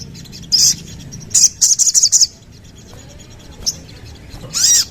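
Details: Sooty-headed bulbul giving short clusters of quick, high, scratchy notes, then a pause, a lone chip and a final loud rising whistle.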